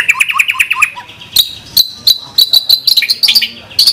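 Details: White-rumped shama song of the gacor style, full of 'tembakan' shot-like fills, used as a training track: clear whistled notes near the top, then sharp upward-flicking high notes repeated in quick bursts.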